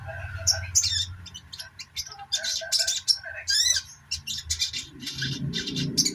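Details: Dense, fast twittering from a sogok ontong, used to stimulate non-singing birds; a near-continuous stream of high squeaky chirps and trills over a low hum that grows rougher toward the end.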